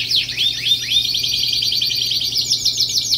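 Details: Domestic canary singing: a few falling sweeps give way to a fast, continuous, rattling high trill that carries on without a break.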